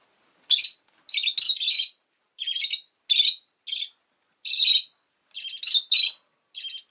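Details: Rosy-faced lovebird giving harsh, high, scratchy chirps in short bursts, some run together in clusters of two or three, with brief silent gaps between calls and no other sounds.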